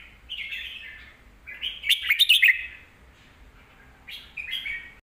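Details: Red-whiskered bulbul, a kept songbird, singing a song used to teach young birds: three bright, warbling phrases, the middle one loudest with rapid choppy notes, separated by short pauses against a quiet background.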